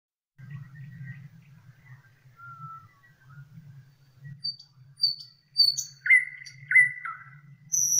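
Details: Nightingale singing outdoors alongside a frog chorus: scattered thin whistles and short high notes, building to loud clear notes given in a quick series, over steady low croaking of frogs throughout.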